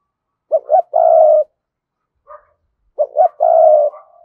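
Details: Spotted dove (Cườm Sa) used as a lure for wild doves, cooing twice. Each phrase opens with two fast hooked notes and ends with a sustained mellow coo, with a brief faint note between phrases.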